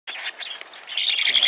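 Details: Parakeet chick, a hand-tame pet in Fukuoka Prefecture, Japan, calling while being fed: soft scratchy chatter, then a loud harsh buzzing begging burst over the last half second.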